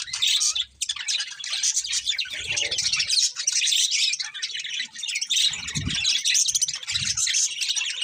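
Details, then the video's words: Morning chirping from a group of birds, a steady high twittering chorus that runs throughout, with a few soft low thumps in the background. "Cute Birds Chirping Sounds In The Morning"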